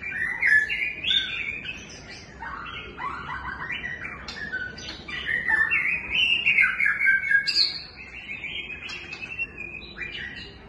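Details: ['White-rumped shama producing a rapid medley of whistles, chattering notes and short squawks, shifting pitch from phrase to phrase, over steady low background noise.']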